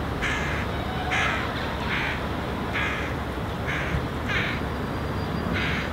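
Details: Young hooded crow (Corvus corone cornix) calling as it follows its feeding parent on the ground, trying to get the food item. About seven raspy, nasal calls in quick, regular succession, with constant low-pitched background noise.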